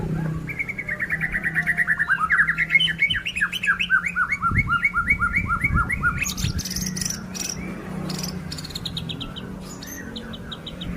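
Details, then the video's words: White-rumped shama song in the style called "pastol sujud", Indonesia; a rapid series of about twenty clear, falling whistled notes, steady and rhythmic, followed by sharp clicking and rattling notes, with a low hum beneath. "MURAI PASTOL SUJUD"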